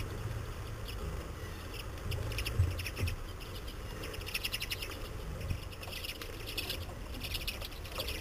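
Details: Common redpolls at feeders in winter after over a foot of snow, in Saratoga Springs, NY, give quick bursts of dry, high chattering notes, several in a row, over a steady low rumble.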